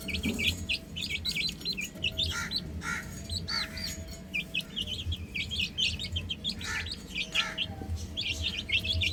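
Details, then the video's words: A flock of chicks playing on a roof keeps up lively, high chirping, clusters of short peeps rising and falling in waves, with occasional brief noise bursts and a steady low hum. "Adorable Chicks Chirping Sounds"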